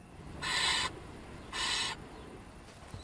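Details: Young barn owls, filmed in complete darkness in a summer bell tower in Austria's Weinviertel, huddle in a wall niche awaiting their parents. They give two harsh, breathy half-second hisses spaced a second apart against a quiet background.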